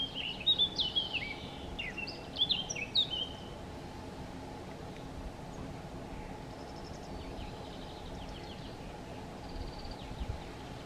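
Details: Eurasian blackcap singing in Chełm, Poland, on 17 May 2022, in breaks between feeding: a three-second burst of fast warbling that ends in clear fluty whistles, then a faint distant phrase near the end over a steady low hum.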